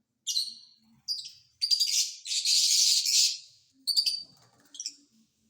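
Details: Caged rose-ringed parakeet giving harsh, shrill rasping screeches, several short bursts and one long drawn-out grating cry, with quiet gaps between.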